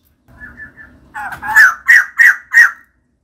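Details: Female white-crested laughingthrush singing actively: faint, soft notes lead into a string of five loud, harsh, ringing notes, each about a third of a second apart.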